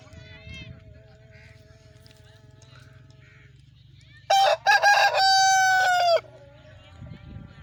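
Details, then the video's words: Crowing Aseel rooster from Pakistan gives one loud, strained crow of nearly two seconds, choppy at the start and then a long sustained harsh note, over a low background hum. "Aseel murga ki awaaz || aseel rooster crowing || aseel murga azan"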